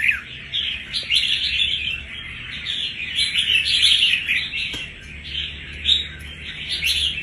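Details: Dense, energetic chattering song of a red-whiskered bulbul caught from the wild a month earlier, noted for its fighting spirit, with irregular bursts of louder notes.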